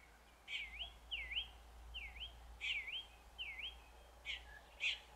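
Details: Showy mimicking song of a red-backed shrike copying other birds: a run of swooping V-shaped whistles that dip and rise again, mixed with a few sharp chip notes, against a low background rumble.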